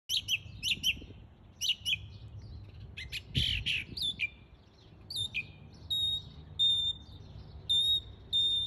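Song thrush singing loud, varied phrases, each repeated two or three times, ending in a clear whistled note repeated four times, over a low background rumble.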